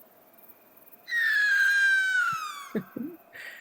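A Greater Sooty Owl gives one long, eerie, whistled scream lasting about a second and a half, sliding steadily downward, followed by a few soft knocks.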